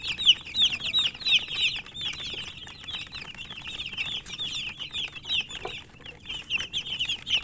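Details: Chicken chicks chirping while eating: a dense, continuous flock of high, short peeping notes, many overlapping, with faint pecking clicks underneath.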